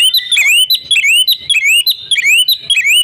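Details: Female oriental magpie-robin whose lively calls serve to lure silent males. Clean rising whistles, each sweeping upward after a brief high note, repeat about twice a second in a tight, regular pattern.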